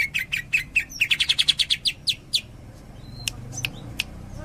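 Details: Greater green leafbird delivering tembakan song, a quick volley of about fifteen sharp high chirps that slows and fades, followed by isolated clicks and a faint thin whistle.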